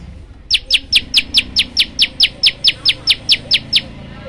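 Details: Bar-winged prinia (prenjak lumut) used as a master song bird: a fast, even series of sharp high chirps, about fourteen notes repeated roughly every 0.2 seconds, with faint background noise.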